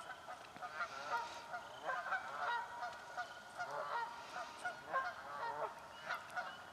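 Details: Canada geese fighting for nesting spots in a swamp, giving a run of harsh, nasal honks repeated in quick irregular bursts over several seconds against soft marsh background noise.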